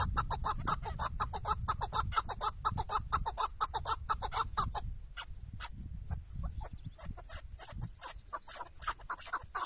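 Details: Tethered decoy chukar partridge calling during a hunt in Şırnak, Turkey: a fast run of harsh, clucking chuk notes, roughly two per second, over strong low rumbling wind or handling noise that eases after the first half.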